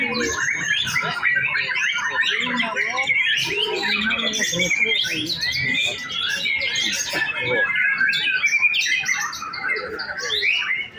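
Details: Caged white-rumped shama singing in contest practice; dense, continuous stream of rich whistles, rapid trills and chattering phrases, varied and fast-paced, with scratchy notes woven in and faint background noise.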